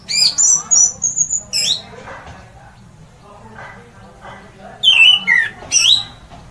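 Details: Orange-headed thrush in loud 'ngeplong' song meant to spur other birds into singing: bright whistled phrases with sharp rising and falling slurs open the clip, a quieter murmuring stretch follows, then more loud slurred whistles near the end.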